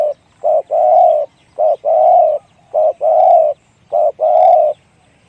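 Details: Spotted dove in the big-voiced one-kuk style, giving deep cooing phrases: a short coo, then a longer rolling coo, repeated four times at about one-second intervals, clear with quiet background.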